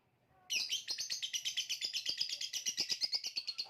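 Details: Lovebird of the Indonesian contest-bird hobby breaking into a loud, continuous, fast chattering song of rapid, buzzy, high notes, about three per second, sustained without a break.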